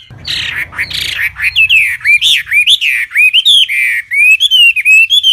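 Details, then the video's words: A loud wambi song starts with harsh, rasping notes over a low rumble. It then turns into a lively run of clear, arching whistles, rising and falling at about three per second. "Kicau Burung Wambi Jernih"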